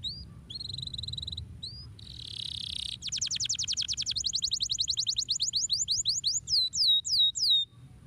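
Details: Canary singing to encourage other birds to sing: steady high whistled tones and a buzzy burst, then a long rapid trill of repeated rising notes that slows into separate curved whistles.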